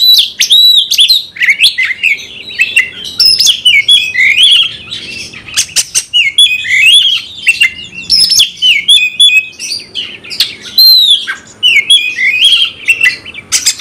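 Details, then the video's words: Oriental magpie-robin song used to make another bird fight: long, fast outpouring of twisting whistles, scratchy buzzes and sharp clicks, hardly pausing throughout. "Kacer gacor bongkar emosi dalam hitungan detik dijamin Kacer langsung tarung ngotot"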